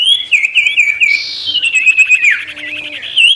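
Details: Energetic ashy tailorbird song used to draw in wild birds: rapid bouncing wavy whistles repeated in a quick run, with a brief buzzy burst in the middle, loud and clear.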